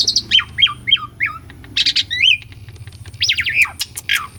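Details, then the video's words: Real recording of Asian pied starling singing, used as a lure for silent birds: a string of falling, hooked whistles about three per second, harsh bursts and wavering slurs, with low background hum. "KICAUAN JALAK SUREN GACORAN - PANCINGAN JALAK UREN MACET PALING JITU..!!"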